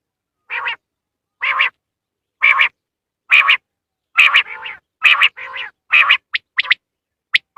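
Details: Quail call used to lure quail for hunting: harsh, buzzy nasal notes repeated roughly once a second, later becoming quicker with short sharp clicks, against a silent background.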